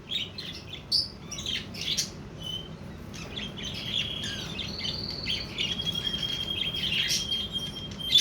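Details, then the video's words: Budgerigars mating, giving a busy, loud chatter of short squeaky chirps and scratchy warbled notes, with a few sustained whistled tones held for about a second, indoors. "تزاوج طيور البادجي"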